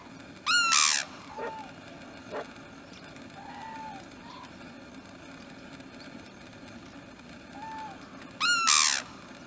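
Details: Sarus crane (Grus antigone) calling on a foggy winter morning near Udaipur, Rajasthan, India: two loud, harsh trumpeting bursts about eight seconds apart, with soft whistled notes from other birds in between.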